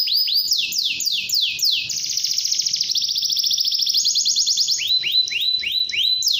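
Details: Long-singing canary, used to encourage young birds to start singing, delivering a loud high song: sweeping rising-falling notes, then a rapid dense trill, then another series of upswept whistles.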